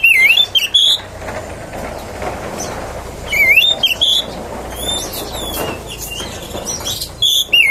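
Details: Oriental magpie-robin song played to provoke other magpie-robins: separated bursts of looping, warbled whistles at the start, middle and end, with quieter chirps and a steady background hiss between them.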